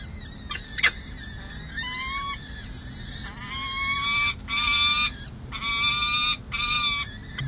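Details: At the San Jose City Hall peregrine falcon nest, recorded on 7 May 2024 while four week-old chicks are fed. Louder, drawn-out nasal wails in long harmonic bursts of about half a second to a second, after a sharp knock and softer high cheeps.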